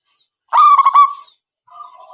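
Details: Zebra dove call used to lure birds for trapping: a single loud, rolling coo with rapid stuttering pulses, then a faint, soft, drawn-out lower tone.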